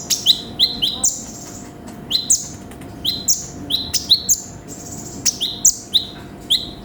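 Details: Lively konin sunbird song in full repertoire: bright, high, clipped notes dropping into brief buzzy tails, delivered in quick clusters of two to four with short gaps, over a low constant background hiss.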